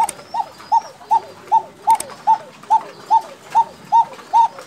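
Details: A Bashiraj koka pigeon from Tangail gives a very regular series of clear, short arched notes, about two and a half per second, over a quiet background.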